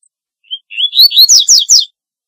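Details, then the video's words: Double-collared seedeater song phrase: thin rising whistled notes climbing in pitch, then a run of four loud, fast, descending sweeping notes, clean and without background sound. "Corbatita Canto Para LLamar 2 - Double-collared Seedeater Call Song - Sporophila Caerulescens"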